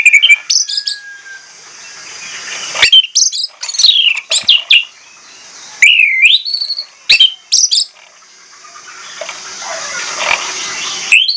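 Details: Orange-headed thrush giving a lure song, delivered loudly and persistently with mimicked fill phrases: bursts of sharp, slurred whistles and rising-falling notes in separate clusters, with quiet hiss between the phrases.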